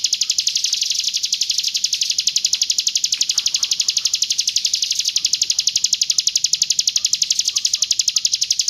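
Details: Roll tembak song of a Hill prinia from East Java, a steady high rattling trill of rapid, evenly spaced notes that barely changes in pace or pitch throughout, with faint low chirps behind.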